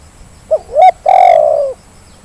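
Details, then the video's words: A single Zebra dove phrase used as a lure for reluctant callers: a faint short coo, a louder rising coo, then a long trilled coo that slides gently downward and lasts about seven tenths of a second. "Suara pancingan terkukur yang malas jadi bunyi"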